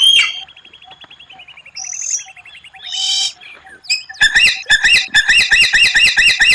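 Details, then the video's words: White-rumped shama, rare 'tembakan' contest song: a drawn-out rattling trill slowly descending, a few scratchy bursts, then a dense rapid volley of bright repeated notes. "Masteran murai batu tembakan langka, suara aneh tapi memukau lawan"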